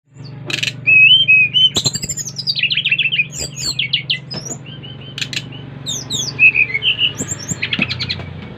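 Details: Brown-chested jungle flycatcher from Bali singing vigorously to draw other flycatchers into song: clear whistled notes, some sliding downward, mixed with short chirps and quick trills, over a steady low hum.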